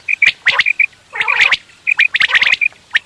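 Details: Quail calls for morning hunting: short high whistled notes in quick runs, mixed with harsh rasping squawks from several birds.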